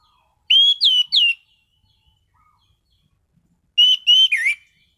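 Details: Orange-headed thrush singing steadily with a sweet voice, loud volume and sharp, stable bursts. Two short whistled phrases about three seconds apart, each of three notes: level and down-slurred whistles, the last phrase ending in a lower dipping note.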